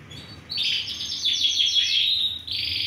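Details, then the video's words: Four healthy, big-size, Romeo-coloured Yorkshire canaries, singing actively (gacor), recorded 20 December 2020; a rapid, continuous run of high chirps and rolling trills pours on without a break after a brief quiet start. "KENARI YORKSHIRE warna ROMEO FOI GACOR"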